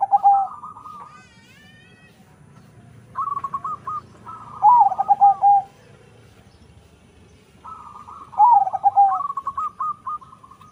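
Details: Zebra dove from a local-Bangkok cross, valued for a large voice, repeats phrases about every four seconds: clipped higher notes leading into loud, descending, warbled coos, with quiet gaps between.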